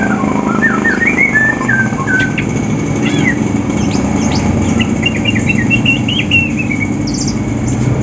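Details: Morning song from Banyuwangi and Sumatran greater green leafbirds readied for a singing contest and looking for a rival: a rich run of whistled slurs, trills and upward sweeps, almost continuous, backed by a constant low droning hum.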